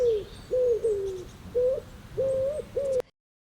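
A pigeon gives six soft, hollow cooing notes in about three seconds, some sliding down and others swelling upward, over a faint background hiss.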